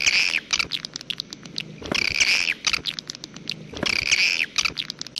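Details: Swiftlet 'jaguar' style call: short bursts of rich, trilling twitter repeated roughly every two seconds, separated by scattered single high chirps.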